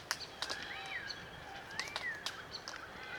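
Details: Glossy black cockatoos, a small flock feeding on Allocasuarina cones in Australian bush in the Macleay River valley, NSW. Two drawn-out, arching calls rise and fall, with sharp feeding clicks scattered throughout.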